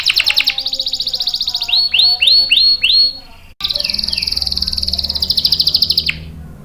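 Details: Canary singing to draw out and train young or silent canaries. Quick trills are followed by four looping, curved whistles, a brief gap, then a long buzzy roll that ends on a falling note.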